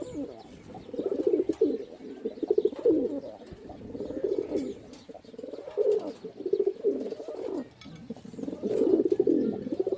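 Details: Pigeons giving low, rolling throaty coos in overlapping bouts, steady and repeated across the recording with faint background noise.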